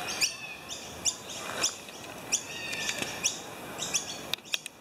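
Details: Noisy miners give sharp, high chipping calls, repeated roughly every half second to second in harsh, uneven bursts, while a very attentive miner ushers a slender whip snake across a footpath, against faint outdoor background noise.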